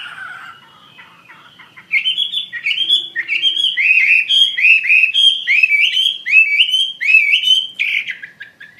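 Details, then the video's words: Chinese hwamei after a quiet start launches into energetic song: clear, rich whistled notes swooping down and up, repeated rapidly in a steady chain for several seconds. "SUARA KICAU BURUNG HWAMEI WAMBI GACOR"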